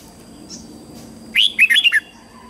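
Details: A short morning song phrase from a red-whiskered bulbul, a fast run of five or six liquid, slurred whistles, after a quiet stretch with a soft high note.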